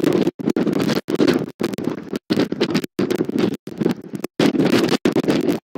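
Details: Strong wind batters an outdoor nest camera mic, giving repeated loud roaring gusts separated by brief dropouts, with no animal voice audible.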